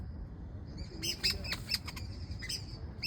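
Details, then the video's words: Birds in the morning, giving scattered short, sharp chirps and squeaky notes at irregular intervals over a soft low background rumble. "sound of birds in the morning"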